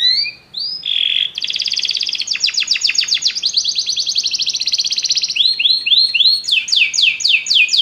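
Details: Canaries singing together after hearing music: a brief whistle, then a long rapid buzzy trill of closely repeated notes, followed by a series of looping upward-curving whistles repeated about twice a second.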